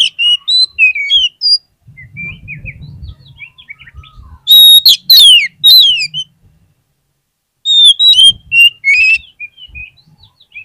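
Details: Oriental magpie-robin (kacer) lure song aimed at making sluggish magpie-robins sing back: varied whistled phrases, low rustling, a loud volley of quick falling slurs, then more bright repeated whistles.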